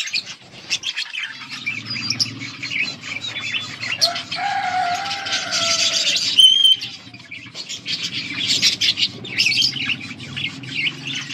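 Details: On August 19, 2024, budgies give scattered high chirps and warbles, including a drawn-out squeak and a few clear whistled notes. A steady low mechanical hum runs throughout.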